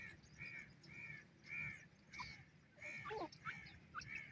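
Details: Francolin chicks, called Hindustani teetar chicks: short bright chirps repeated about every half second, later joined by quick downward-sliding peeps and a brief rattling trill, with low background rumble.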